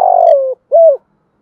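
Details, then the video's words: Spotted dove singing in the Thổ voice style, cooing meant to stir up wild doves. A long, buzzy, slightly falling coo ends, followed after a short gap by a clean, arched final note. "cu gay kich boi nhanh noi gù chuẩn + gáy gọi, tiếng gáy hợp bổi giọng Thổ chuẩn"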